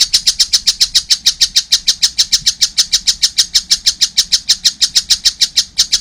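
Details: Young collared kingfisher producing a long, even train of scratchy, buzzy notes at a brisk regular rhythm.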